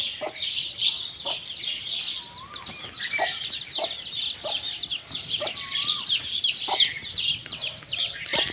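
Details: Hen with chicks while feeding: regular low clucks about once a second, with a few drawn-out rising-falling notes, all under dense high chick peeping.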